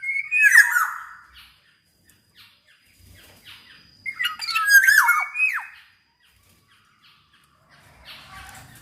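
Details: Song of a black-naped oriole (kepodang emas), meant to prompt lazy orioles to join in: two bursts of harsh, nasal, down-slurring notes about four seconds apart, separated by near silence with faint clicks.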